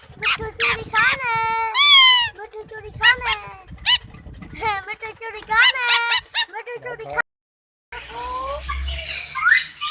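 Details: Talking green ringneck parakeet mimicking Urdu/Hindi speech such as 'main mithu': rapid bursts of high, chattering syllables with rising and falling tones, a brief silent gap, then noisier room sound.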